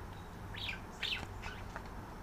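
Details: Pet budgerigars, a male and a visiting female, exchanging calls as they are put up for the night while courting; two quick, slurred warbling chirps a half-second apart, followed by fainter notes.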